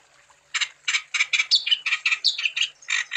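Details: A wambi starts after a brief quiet spell and sings rapid, harsh, buzzy notes about three per second, mixed with short whistled twists, intended to provoke other wambi birds to sing.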